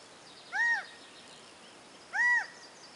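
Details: A quail silhouetted on a tree branch, moving visibly with each call, gives two clear, arched calls about a second and a half apart, each rising then falling, over a soft background hiss.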